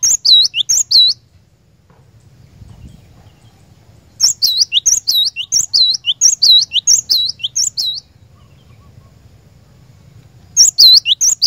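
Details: Cinereous tit (glatik batu) lure song to get other birds singing nonstop in 'ngerol' style: three bursts of rapid, piercing, high looping whistles separated by quiet pauses of about three seconds.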